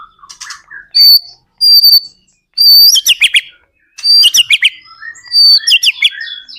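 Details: White-rumped shama singing as a lure for other shamas: clear high whistled notes followed by quick descending slurred trills, in repeated phrases with short gaps.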